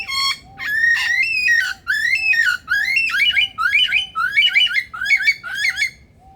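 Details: Captive male Superb Lyrebird in Adelaide Zoo, South Australia, imitating an electronic alarm: fast, loud, warbling zigzag whistles with bright overtones, repeated in bursts about every half second for six seconds, soft beeps underneath.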